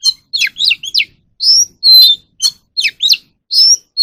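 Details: An Oriental magpie-robin sings for voice training of caged birds: rapid clusters of looping, rising and falling whistles, broken by longer steady whistled notes, repeated in bursts without pause, nothing else audible.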